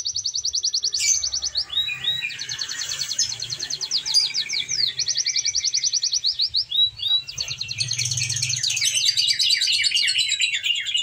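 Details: Canary singing a long varied song: rapid rolling trills of high repeated notes, short swooping slides between tours, and a dense buzzy rattling passage toward the end, with a faint low hum beneath.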